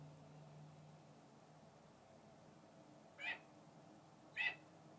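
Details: Captive male falconry red-tailed hawk, bathing outside his mews and talking to a visiting hawk, gives a pair of brief, rasping, scratchy calls roughly a second apart after a quiet stretch with low background hum.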